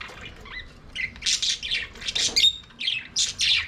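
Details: Aviary budgerigars singing while playing, dense scratchy warbles and squawks rising in volume, with a brief whistled tone amid the chatter.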